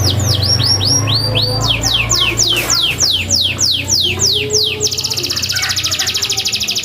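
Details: Energetic canary song offered to coax lazy canaries into singing: a run of fast downward-sweeping whistled notes, then a very rapid buzzy trill near the end, over a steady low hum.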